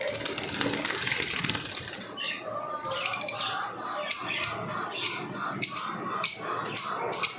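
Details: Lovebirds heard as a noisy rustling flutter at first, then sharp high chirps repeated roughly every half second over a soft background chatter.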